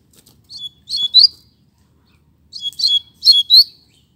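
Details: Coleiro in a song contest: short clipped phrases of sharp high notes, two quick clusters at the start and again after a pause, ending in bright rising chirps.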